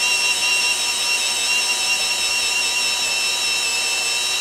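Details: Loud steady high mechanical whine like a power tool running, with no animal voice.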